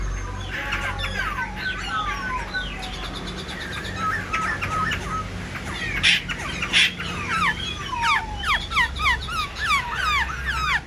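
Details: A caged Black-throated laughingthrush, wings spreading and tail fanned in display, gives a rapid, varied tumble of slurred whistles and chattering notes with a few loud harsh bursts, over a low background hum.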